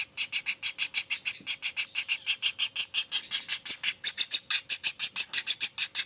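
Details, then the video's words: Juvenile common flameback delivering a relentless series of piercing, high chattering notes, close to three a second, growing slightly louder toward the end; the background is otherwise quiet. "Suara Pelatuk Bawang Anakan Roll speed tanpa jeda"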